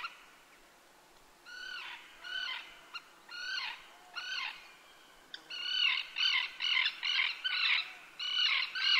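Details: A Common tern at Kartanogolf, Joroinen, Finland, gives harsh, grating, down-slurred calls, first in a spaced series, then in a quicker burst of about two per second.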